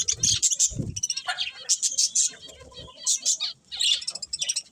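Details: Budgerigars give clusters of sharp high chirps and squeaky warbles in short bursts about every second, with low bumps early on.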